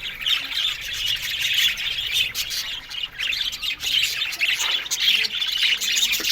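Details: Budgerigar colony in an aviary, many birds chattering at once in a steady wash of high twittering and warbled chirps, rising and dipping in loudness.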